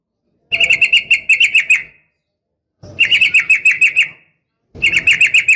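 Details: Female yellow-vented bulbul call to a male, a training lure for caged birds: three rapid bursts of about ten bright, evenly spaced chirps each, separated by short pauses.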